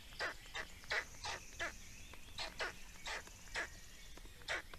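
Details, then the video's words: Black storks in Estonia at feeding time, 17 May 2019: a steady run of short, harsh, rasping bursts, about three per second, with little pause between them, over a soft low background hum. "Estonian Black Storks - Feeding"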